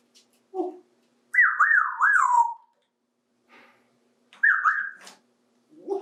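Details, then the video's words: A 28-year-old male African Grey parrot, kept as a pet, plays with bathtub toys. It mixes low, speech-like notes with looping, warbling whistles that wobble up and down, then falls silent before another whistled phrase and a final low voiced note. "Murphy Bird Talks to Toys"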